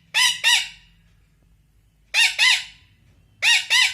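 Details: An angry pet Indian ringneck (rose-ringed) parakeet, apparently scolding someone for leaving, gives harsh, grating squawks in quick pairs, each pair about a second or more apart, with faint low background hum.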